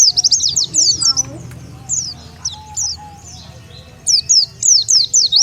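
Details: Lure call of the Oriental white-eye for gathering wild birds: a quick burst of high, thin tweets, a quieter middle with sparse chirps, then renewed rapid high notes; faint voices underneath.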